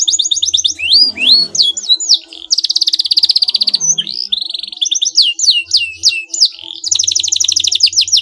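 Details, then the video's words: Canary song used to provoke a rival canary into responding: rapid repeated upswept whistles, then a fast buzzy trill around two seconds long, more rising whistle phrases and a closing rolling trill, all high-pitched with faint low hum beneath. "pancingan bunyi kenari ini sudah terbukti ampuh membuat lawan tatah langsung respon"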